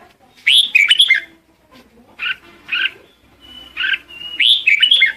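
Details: Red-whiskered bulbul gives a lure song to call the flock, opening and closing with a fluty warbled phrase, with short paired chirps and a thin sustained whistle between, plus faint low background hum.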